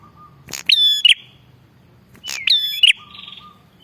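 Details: Bar-winged prinia calling energetically, used to lure wild males and females. Two loud call bursts, each a sharp click, a high steady whistled note with bright overtones, then another click, about 1.7 seconds apart, with faint background noise.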